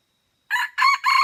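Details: Wild junglefowl of Aceh crowing at Mata Ie while being lured with a decoy: three rough, clipped bursts rising in loudness, the crow cut off abruptly before it finishes, with no other sounds.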